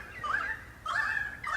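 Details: About 30 pied currawongs in messmate eucalyptus treetops in the Dandenong Ranges east of Melbourne, Australia, in September, calling as a cacophony for about 20 minutes and heard from 200 metres: overlapping wavering, gurgling upper-middle notes in three quick bursts.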